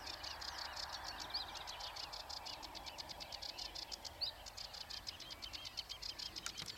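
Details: Eurasian reed warbler song: fast, rhythmic series of harsh, clicking chirps repeated several times per second, with a couple of thin higher whistled notes mixed in and soft background noise.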